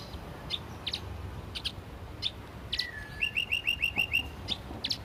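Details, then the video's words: Canary master-vocal training recording with sparrow, cigun and flamboyan fill-ins: scattered sharp high chirps, a long low gliding whistle, then a short run of seven evenly spaced metallic notes over soft background hiss. "Kenari Isian Gereja- Bren Cigun-Flamboyan #(Master Vocal)"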